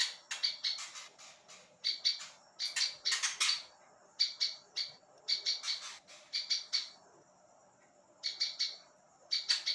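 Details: Prinia known locally as ciblek ilalang, recorded as tutor song for other songbirds: loud clusters of rapid, harsh chirping notes in short bursts with brief gaps, steady repetition throughout.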